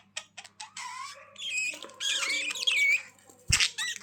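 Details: Budgie chatter played to make lonely birds glad: a few clicks, then scratchy squeaks and sliding whistled notes weaving together, with one dull thump near the end, indoors.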